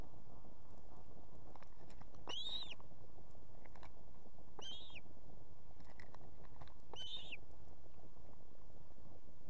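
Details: An osprey female, with two chicks at the nest in Estonia, calls to the male so he will bring fish: three short, bright, downcurving whistles at about two-second intervals over a steady low noise.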